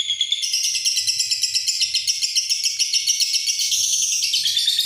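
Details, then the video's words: Lovebird in continuous ngekek, an unbroken, high-pitched, rapidly pulsed chattering trill lasting nearly five seconds, over a faint low rumble. "Love bird ngekek panjang"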